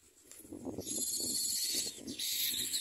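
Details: Common myna at its nest, feeding small items into its chicks' mouths; a long, loud harsh hissing rasp, high and breathy, runs almost unbroken through the second half, with soft low rustling beneath.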